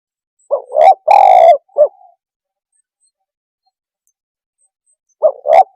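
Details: A spotted dove gives a call used to provoke other birds: a double coo, a long rolling purr and a short coo, then about three seconds of silence before the phrase starts again.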